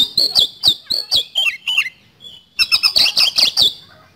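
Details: Oriental magpie-robin (kacer) lure song in fast speed-roll style: regular strokes of harsh, ticking notes with downslurred whistles, about four per second, then a second rapid burst after a brief silence.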